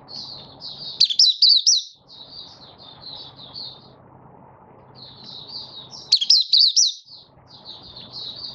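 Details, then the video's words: Caged Malaysian Oriental white-eye building form during a minor moult, 24 August 2023, performing 'buka sing': soft high chatter punctuated twice by louder, rapid, bending whistled flourishes, with steady background rumble throughout. "Malaysian Mata Puteh Buka Sing"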